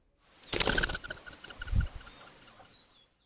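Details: Wing flaps of a flycatcher from the non-migrating subspecies, recorded to compare feather sounds with the migrating one: a quick, rattling flutter of about half a second, then a softer, low thump, then quiet.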